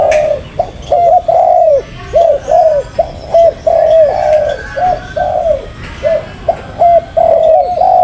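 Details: Spotted dove giving a long run of soft, hollow coos, about a dozen short rounded notes and a few longer held ones, spaced under a second apart with a steady, even rhythm.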